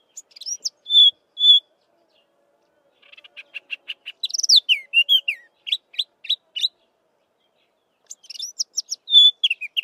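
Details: Melodious chestnut-vented warbler song: high whistled notes, a rapid buzzy chatter, then varied sweeping and descending whistles in quick succession, with a final phrase after a pause.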